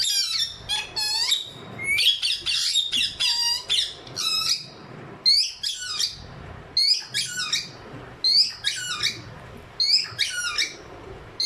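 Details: A pair of pet ringneck parrots squawking steadily: dense, harsh, stacked screeches in clustered bursts about every second or two, with brief pauses and a low indoor hum underneath.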